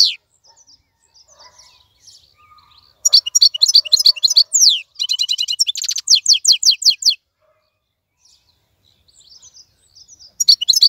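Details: European goldfinch, wild-caught and caged, sings after quiet opening twitters: a four-second outburst of sharp, high liquid chirps, buzzy rattles and rolling trills, then a pause and a brief renewed flourish.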